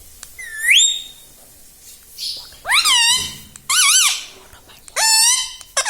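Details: Rose-ringed parakeet kept as a pet, mimicking the word "mummy": loud, rasping, up-and-down squawked syllables in three or four bursts, separated by near-silent pauses.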